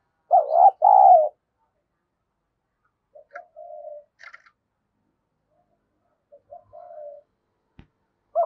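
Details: Spotted dove kept as a decoy to provoke rivals: two loud throaty coos, then two quieter phrases of short notes and a soft level coo, a sharp click, and the start of another loud coo.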